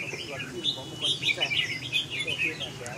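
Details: Red-whiskered bulbul delivering quick, bright warbled phrases, several slurred whistles in succession, with a faint low hum underneath.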